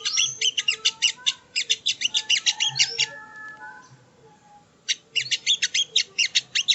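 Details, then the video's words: Sogo ontong used as training audio: rapid scratchy high chattering for about three seconds, a quiet gap, then another fast burst of notes. "Masteran Burung Sogon ( Sogo Ontong )"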